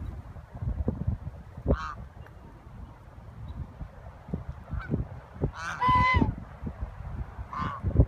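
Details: Geese in a large flock by a civic center lagoon in Marin give a few separate nasal honks, with a louder double honk near the end, over steady low-pitched background rumble.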